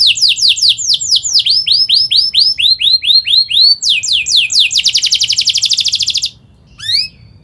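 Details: Canary in rapid song, intended as a lure for young birds: a run of descending whistled slurs about three per second, speeding into a dense buzzing roll, ending with a lone upswept chirp.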